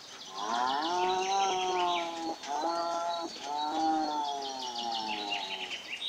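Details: Long, nasal, mewing seabird calls in three extended phrases, each with a brief break, while many thin, high chirps and chatters continue behind them.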